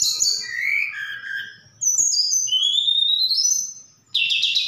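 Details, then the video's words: Javan bush lark from Sukabumi singing a medley that includes imitated cililin and sikatan londo phrases: gliding whistles that slide down then rise steeply, ending in a buzzy burst. "Tledekan Gunung Gacor Sukabumi"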